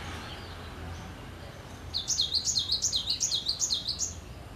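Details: Cinereous tit in active song: a long, steady run of sharp, high two-part notes, about a dozen alternating up-down figures over two and a half seconds, following quiet background noise.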